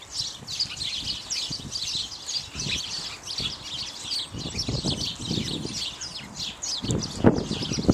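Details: Several house sparrows, mostly males and at least one female, at bird seed; rapid repeated chirps from many birds, with low fluttering and scuffling sounds underneath and a louder knock near the end.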